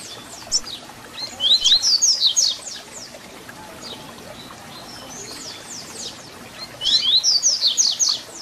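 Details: Papa-capim, the double-collared seedeater, delivering tui tui zel zel fibra-style song meant for tutoring young birds: two loud bursts of quick, high, downslurred repeated notes separated by a quieter stretch of faint chirps, with constant background hiss.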